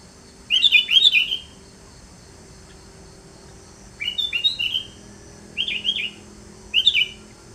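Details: Sooty-headed bulbul singing four bursts of bright, chirpy, slurred whistles: a longer rolling phrase first, then three shorter clipped phrases spaced about a second apart, over a faint steady hum.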